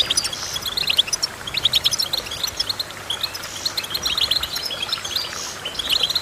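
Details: Goldfinch song: rapid high twittering notes in bursts with short pauses, bright chirps and brief trills overlapping in a busy, steady stream.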